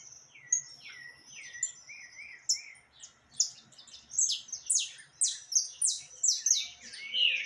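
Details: Saffron finch in lively song, 20 October 2021: wavering whistled notes building into a rapid burst of loud, sharply descending chirps, other birds chattering along.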